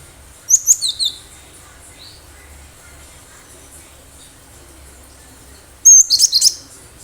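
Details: Cinereous tit from the wild, singing eagerly to serve as a lure: an opening cluster of high, sharp downslurred chirps, a single thin note, then a louder burst of whistled and chattering notes after a pause.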